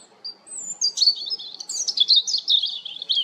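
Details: European robin song: a high, thin drawn-out note, then a rapid tumbling, twittering warble of high trills and liquid notes that runs continuously for about two and a half seconds.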